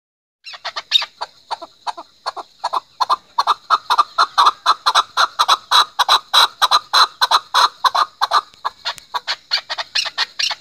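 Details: A chukar partridge gives a long run of harsh, clucking chuck notes, about three to four each second, steady and insistent for ten seconds.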